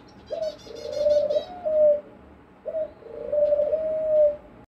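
A dove gives two low, hollow cooing phrases, each a steady hum with a slight step up, about two seconds apart; faint chirping from other birds behind.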